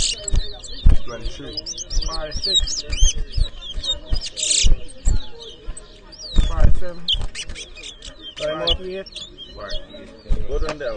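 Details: A whistling contest of towa towa, the chestnut-bellied seed finch, in Edinburgh Village, Guyana, 2023. Fast sliding whistles and twittered phrases come in dense bursts over loud nearby voices, handling knocks and a busy crowd.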